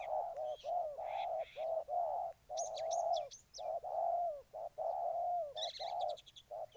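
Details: Spotted dove singing in Ninh Thuận: continuous low mellow coos alternating short and drawn-out notes with brief gaps, while thin high chirps and twitters from other birds break in now and then.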